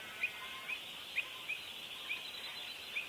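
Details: Pied avocets protecting their chicks during a territorial dispute: sharp, clipped high notes repeated roughly every half second to second, set against a steady band of background hiss.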